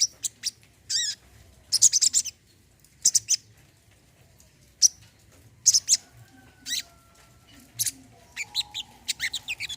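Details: Brown-throated sunbird (kolibri kelapa) singing for therapy of birds that have gone silent: clusters of piercing high chirps and brief rasping bursts separated by pauses, a faint steady whistle-like tone underneath.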